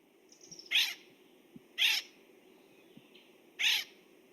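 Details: Acorn woodpecker giving its typical call: three harsh, nasal, raspy calls spaced one to two seconds apart, with faint thin whistles from another bird behind; at a distance this call can be confused with a Pinyon Jay call.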